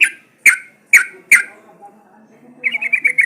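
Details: Lure sound of a sooty-headed bulbul meant to get birds calling: four loud, sharp notes spaced about half a second apart, then a fast, bubbling trill of rolled notes.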